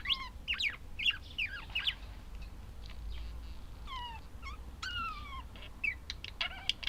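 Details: Pet budgerigars give short chirps and falling whistled notes in quick clusters, with quieter stretches between and a low background hum.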